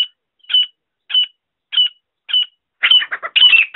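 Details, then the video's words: Grey francolin calling, used to lure birds for hunting: a series of short, sharp, high notes about every half second, then quickening into a dense, harsh burst of overlapping notes at the end. "Francolin call sound voice for hunting"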